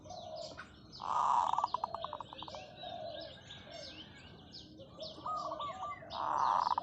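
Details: Zebra dove kept as a decoy bird, giving long drawn calls: a loud rolling coo near the start breaks into a rapid staccato series of pulses, then repeats at the end, over busy high chirping from other small birds.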